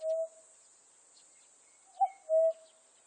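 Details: Common cuckoo, 2020. The tail of one call gives way to a single full cu-coo, a short upper note and a long lower note. A steady high insect hiss and a faint thin whistle are heard in the background.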